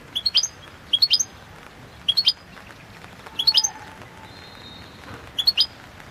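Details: European goldfinch of the Balkan subspecies Carduelis carduelis balcanica, singing-competition entry for a 2022 world championship run by a Serbian breeders' association: short high twittering clusters of sharp, tinkling notes, repeated roughly once a second, quiet background.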